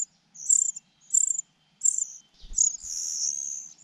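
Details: Begging cuckoo nestling, with an oversized red mouth, being fed by its foster mother. Three separate high hissing notes are followed by an unbroken, shrill trilling rush.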